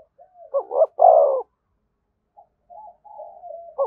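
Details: Spotted dove near a decoy bird, calling 'thúc gù' style: a quick stuttered pair of notes and a sustained hoarse coo, then faint low burbling notes before the next phrase begins.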